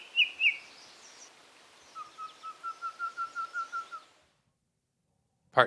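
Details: Yellow-breasted chat song by the Niobrara River, Nebraska, in riparian habitat: two sharp high notes, then a steady run of about ten even, hollow whistled notes, five per second, over a soft background hiss.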